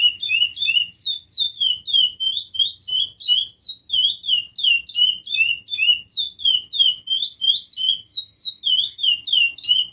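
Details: Long unbroken song of a chestnut-bellied seed finch: fluid, downslurred whistles strung together rapidly, varying slightly in pitch, nearly three notes each second, with a quiet low hum behind.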